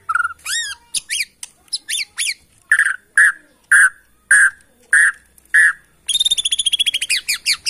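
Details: White-rumped shama, Bornean type from Kalimantan forest, singing to make other shamas agitated: high swept notes, then loud harsh calls repeated about every half second, closing with a rapid stuttering trill.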